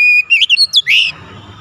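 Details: Magpie-robin song used to coax a silent bird into singing: a clear sustained whistle, then quick slurred rising and falling whistled notes ending in a loud upswept phrase.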